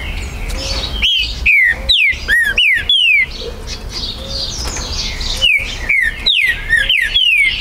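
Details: Green-winged saltator (trinca-ferro), a territorial bird, recorded at a breeder's premises in Brazil on 19 September 2020, singing loud, clear descending whistled phrases in two bursts of about five notes, over a busy background of other birds and hum.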